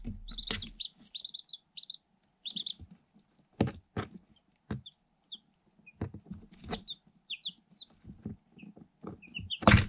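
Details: Eight day-old Light Sussex chicks from an incubator, in a cardboard box, recorded on a GoPro Hero 7 Black while pecking at the camera. Repeated shrill peeps come in bursts between loud pecking knocks, with a heavy bump at the end.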